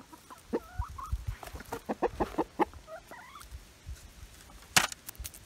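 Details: Chickens feasting on beetles and bugs after the rooster calls them over; a jumble of soft clucks and short rising and falling whistled notes from several birds, with scratching and rustling and one sharp click.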